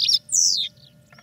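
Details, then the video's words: European goldfinch singing in a cage during training; a short twitter followed by a long, loud descending buzzy note, then quiet, over a low steady hum. "Goldfinches Singing in CAGES for TRAINING"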